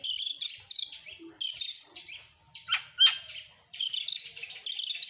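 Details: Excited Oriental magpie-robin, tail spread, delivering rapid high notes: shrill sustained whistles and buzzy bursts, a couple of sharp downward-sweeping notes midway, then more dense whistled phrases after a brief silence.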